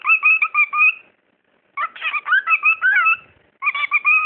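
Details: Talking bird kept as a pet, producing three bursts of whistled, speech-like mimicry with rising and wavering tones and quick syllables, brief silences between them.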